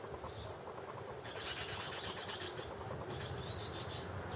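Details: Barn swallow family with chicks at their nest, built inside a garage: two bursts of dense, high-pitched twittering chirps, the first lasting over a second, the second closer to the end, over a steady low rumble.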